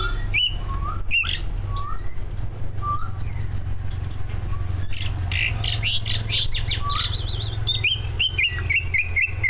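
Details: Greater green leafbird, one of two caged competition birds, singing a track rich in mimicked phrases for prompting others: short slurred whistles repeated every second or so, then a dense burst of high trills and warbles, constant low rumble beneath.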